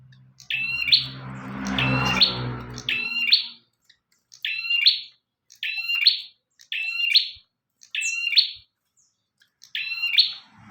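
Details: Active bar-winged prinia song for teaching other birds: a repeated high phrase of a short whistle into a buzzy burst, given roughly every second and a quarter, with low rumbling noise early on, then clean.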